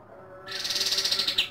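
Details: Pied triller (kapas tembak) delivering a 'tembakan' burst at dawn: a sudden, very fast high trill of pulsed notes lasting about one second after a brief silence.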